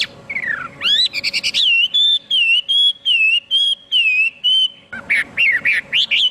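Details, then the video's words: Chinese hwamei singing a falling whistle, a quick buzzy burst, then a series of mellow whistled notes that dip and rise evenly, closing with loud sharp varied whistles; faint hum beneath. "tiếng chim hoạ mi hót cực hay"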